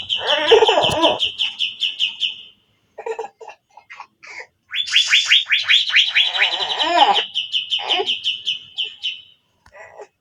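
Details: Javan green magpie in full song: bursts of rapid descending whistles and trills mixed with harsh, gargling lower notes, with brief pauses between phrases.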